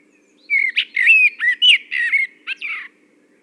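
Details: Common blackbird (Turdus merula) song: one unhurried warbled phrase of about a dozen varied fluty, sliding notes lasting two and a half seconds, in quiet surroundings.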